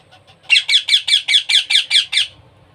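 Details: Baby parrot being hand-fed, making a rapid series of about nine raspy, high-pitched squawking begging pulses, evenly spaced roughly every fifth of a second, in a quiet indoor setting.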